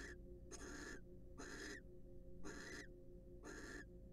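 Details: Wild barn owls preening and courting in a nest box; four harsh, noisy screeches of about half a second each, evenly spaced about a second apart, with a constant low background hum.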